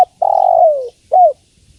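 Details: Female spotted dove calling to the male: a long, smooth, low coo that slides gently downward, then a short pause and a brief second coo, clean and without background sounds.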